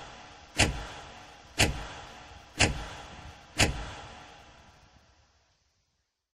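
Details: Four sharp knocking impacts about one second apart, each followed by a short ringing decay, then silence, with no animal sounds present.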